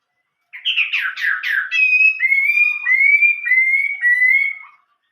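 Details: Chinese hwamei in old-forest voice (giọng rừng già) style: a burst of fast, harsh descending sweeps, then a row of long level whistles, each stepping slightly lower.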